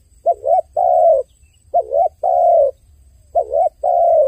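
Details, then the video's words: Dove crying, a soft low cooing in paired phrases: a short wavering note followed by a longer, steady, slightly falling note. The pair repeats three times in about four seconds, with quiet gaps between and little background noise. "The sound of a dove crying សំឡេងសត្វលលកយំ"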